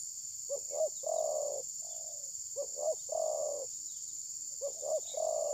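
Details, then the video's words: Spotted dove used as a decoy in bird trapping, recorded on a phone. Three coo phrases, each two short hollow notes then a long, level coo, spaced about two seconds apart, over a steady high hiss. "Mikat terkukur || pikat tidak mau mukul"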